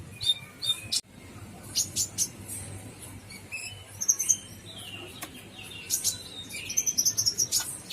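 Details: Gacor full isian song from a Brown-throated sunbird: high chirps, a sharp click, thin falling whistles and two rapid glittering trills of tiny notes, with low background hiss.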